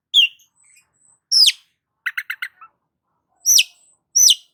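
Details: Long-tailed shrike in full 'gacor' song, used to stimulate a stressed shrike: sharp downslurred high notes, a quick burst of four clipped buzzy chirps mid-phrase, then two more steeply falling whistles.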